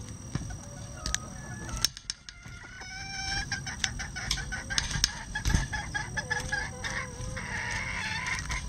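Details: Bantam rooster crowing among a flock of bantam chickens pecking at hanging vegetables, a sustained harmonic crow drawn out over about two seconds after short rising notes, with scattered clucks and clicking sounds around it.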